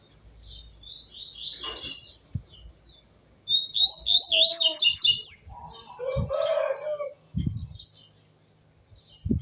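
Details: Double-collared seedeater in captivity at a little past noon, delivering bursts of rapid twittering and buzzy trilled notes separated by pauses, with occasional knocks and faint voices nearby.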